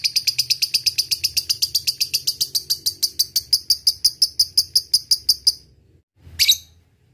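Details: Lovebird ngekek performed as a lure to provoke rivals: a steady, fast, high-pitched chirping trill lasting over five seconds, ending with one loud, harsh squawk.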